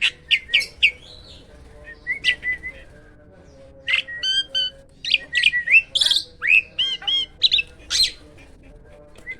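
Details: Loud, varied singing from a hybrid myna: harsh squawk-like notes and slurred whistles in bursts, with a quieter gap near the two-second mark.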